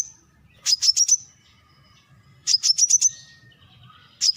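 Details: Brown-throated sunbird repeating clusters of five quick, shrill, high chips, roughly every two seconds, over a quiet background.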